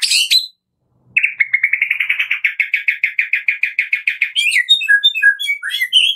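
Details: Medan white-rumped shama lure song for prompting caged birds: a long steady rattling trill of evenly repeated notes for about three seconds, then sweet varied whistles.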